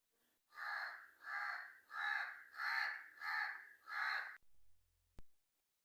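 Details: Six hoarse caws from a black crow delivered in a quick, even series, followed by a brief low thump and a click.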